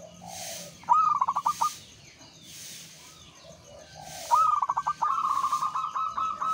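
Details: Zebra dove of local stock singing to stimulate other doves: a staccato burst of clipped coos, a pause, then another stuttering burst running into a sustained rolling trill.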